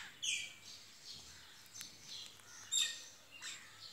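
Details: Pet cockatiel pair chirping with high thin whistled notes and short squeaky calls spread across a few seconds.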